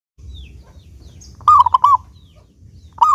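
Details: Local zebra dove singing actively with a clear voice, used as a lure to get doves singing: after quiet with faint distant chirps, one loud phrase of three mellow cooing notes, then the start of another at the end.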